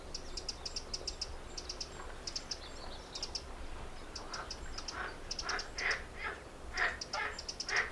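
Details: Little grebe family in the dunes of Egmond, adults busy gathering food for a couple of chicks; bursts of thin, high rapid peeps in quick clusters, with some lower, fuller notes joining toward the end.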